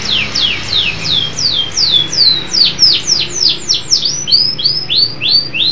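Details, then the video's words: Vigorous song of a local canary: a steady string of high, downward-slurred whistles, about three per second, gradually flattening into shorter notes. "Kicau Burung Kenari Lokal Gacor"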